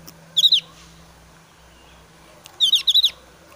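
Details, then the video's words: Excited breeding-season Javan grey-throated white-eye challenging a rival: one short burst of high, piercing notes, a pause of two seconds, then a quicker volley of four sharp notes. "opior jawa gacor emosi tinggi"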